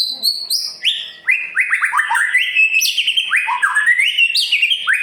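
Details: White-rumped shama singing Murai Pastol style, used to provoke other birds into singing: high whistled notes, then a continuous fast stream of loud swooping whistles and trills.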